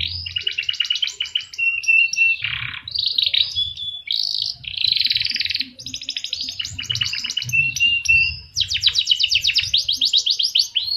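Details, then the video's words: Canary singing a lively, varied song: fast buzzy trills alternate with clear whistled notes and rapid chattering runs, the phrases changing every second or two, with only faint low background noise. "Masteran Kenari Gacor l Tepat Untuk Panclng Bunyi"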